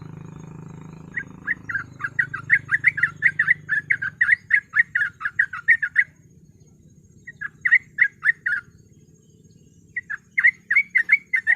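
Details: Sooty-headed bulbul in rapid 'ropel' chattering song used as a lure tutor: a low steady hum fills the opening seconds, then quick repeated slurred notes come in three bursts over faint background rumble.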